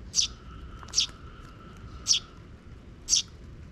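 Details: Sparrow in a park on 12 June 2023, with young chicks following a parent bird: four sharp, high chirps spaced about a second apart over a steady low rumble and a faint hum.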